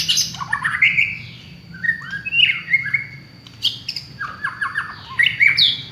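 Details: Lure song of a village white-rumped shama: descending slurred whistles and buzzy squawky notes in varied bursts, pausing briefly between phrases, over a steady low hum.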